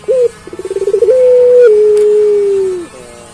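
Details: One full coo from a puter pelung dove: a short note, a rapid vibrating series of about ten pulses, then a very long smooth tone that slides slowly downward.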